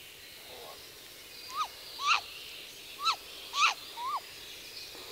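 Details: A female great grey owl on the nest gives five short, clipped contact calls, each quickly rising then dropping, about half a second to a second apart; a male's lower voice may be in the background; faint hiss.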